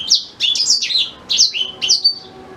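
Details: Black-throated canary, intended to tutor a white-rumped shama, giving a few loud high slurred notes that sweep up and down, in quick succession.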